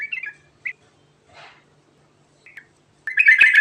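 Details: Sooty-headed bulbul (trucukan, garuda type) in rolling song used to make other birds reply: a few separate short whistled notes with gaps, then a loud, harsh, dense burst of chattering notes at the end.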